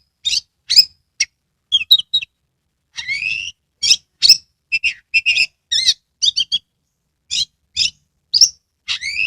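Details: Oriental magpie-robin kept in a cage in Kebumen, Central Java, singing in full voice with open tail; dense sequence of sharp chirps, trills and swooping whistles, many brief phrases packed closely together, no background noise.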